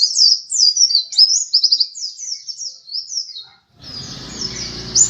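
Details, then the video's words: Pleci dakun white-eye, a runner-up contest bird, in lively song: a fast continuous stream of high, sliding, chattering chirps for over three seconds, followed by a brief silence and then rustling noise mixed with faint twitters. "pleci dakun macok juara 2 gacor dor"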